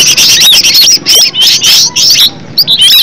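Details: Green leafbird, cucak ijo, in a recording meant to make other leafbirds sing: short bursts of high, rapid chattering and whistled slurs separated by brief silences.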